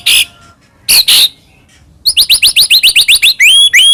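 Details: White-rumped shama singing as a lure to make another shama sing: harsh buzzy bursts first, then a fast run of sharp rising whistled notes about four per second, ending in long upslurred whistles.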